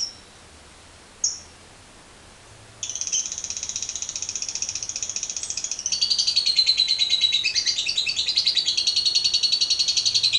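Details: Lovebird in a lure recording of long 'ngekek panjang' chatter: two brief squeaks, then a rapid shrill rattle begins and runs over seven seconds, turning louder and rougher halfway.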